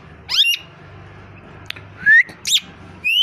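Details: A plum-headed parakeet, a rescued bird whose injured leg was treated after it landed on a rooftop, gives four brief, shrill whistles over three seconds, one sliding clearly upward, over a steady low background hum.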